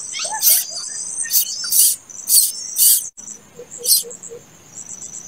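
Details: A late-hatched plaintive cuckoo chick gives four raspy hissing bursts, then quieter pulsed high ticking follows with one more burst, over a faint steady whistle.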